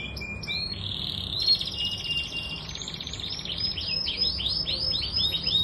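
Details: Canary singing a varied run: a thin steady whistle, then a dense rattling trill, then a series of quick looping, downslurred notes, over faint low background hum.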